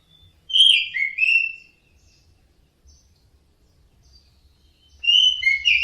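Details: Orange-headed thrush teler song with a couple of bright slurred whistled phrases, a long quiet stretch with faint low rumble, then another whistled burst at the end.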